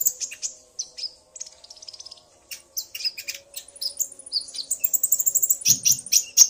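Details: Common iora pair calling, the male stirred by the female: irregular sharp chirps and a fast rattling trill of repeated notes, building toward a quick, loud series at the end.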